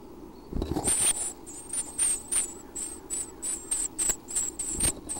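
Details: Six roughly one-week-old Chestnut-backed Chickadee chicks in a nest box in Half Moon Bay, California, around 6:30 AM at feeding time, give high, thin, buzzy begging notes in quick bursts, 2–3 per second, over rustling; Pacific Ocean and harbour fog horn nearby.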